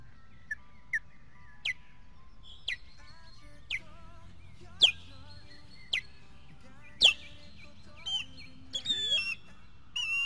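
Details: Osprey at its nest during an attack by an intruder on 15 May 2024: sharp high whistled chirps at irregular intervals, some with downward slurs, mixed with loud clicks and knocks near the nest.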